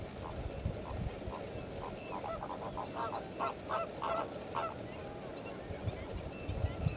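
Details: Lesser flamingos at Thol Lake: a flock gives nasal honking calls, scattered at first, then crowding into a rapid chattering burst midway before thinning out, over steady low rumbling background noise.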